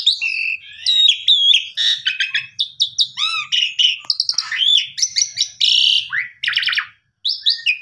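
Asian pied starling singing a rich, fast medley of whistles, chatters, rising and falling notes and buzzy rasps, almost without pause.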